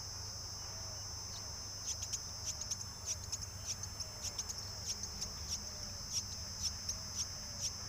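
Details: Loud hungry myna chick begging while being fed by a parent: harsh, short broadband rasps repeated roughly every half second over a steady high insect-like drone.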